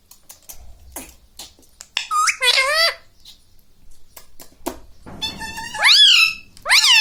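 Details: Pet rose-ringed parakeet that speaks; faint taps and clicks give way to two bursts of nasal, swooping, harmonic syllables, the later one loud and rising-falling.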